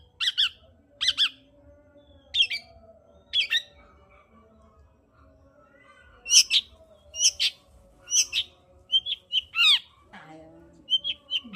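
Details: Singing long-tailed shrike used to coax a silent shrike into voice. Scratchy notes come in loose pairs, then a quiet stretch follows. Denser, varied chatter with some thinner, whistled elements closes the phrase.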